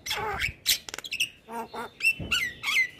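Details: Brief burst of song from a male white-eyed Javan myna, used to stimulate other mynas: a rasping squawk, quick clicks, nasal buzzy notes, then short whistled slurs.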